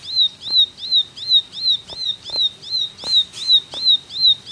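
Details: Energetic ciblek 'gacor' singing, a high whistle bending up then down, repeated at a quick even pace with a few sharp clicks.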